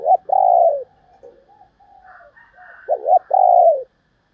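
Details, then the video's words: Cooing female spotted dove: a long, falling hooted note, soft murmurs, then a quick double hoot followed by another long, smooth, descending coo. Loud and close, with a quiet background. "cu mái gáy"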